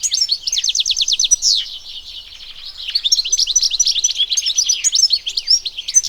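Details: European goldfinch, locally called Arus al-Turkman or Taqtaq Shawk, recorded in the wild: rapid liquid twittering song of high tinkling notes, with an opening run of quick repeated descending trills, then a brief lull and renewed chattering phrases.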